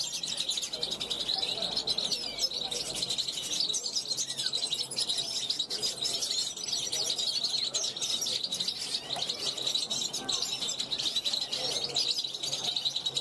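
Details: European goldfinch from 2021, calling from a balcony to wild goldfinches passing by; long, continuous, high-pitched twittering with rapid chirps, buzzy trills and occasional clearer whistles, uninterrupted throughout.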